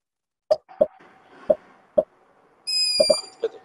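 A young long-eared owl gives one high, thin, drawn-out squeak like a creaking gate, after a series of dull knocking clicks.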